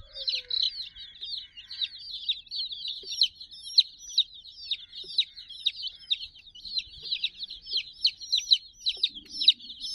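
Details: Young domestic chicks, a group of sixty, crowding a puppy teddy; steady overlapping high peeps, each a quick falling whistle, repeated in a busy irregular chorus, with a faint low murmur near the end.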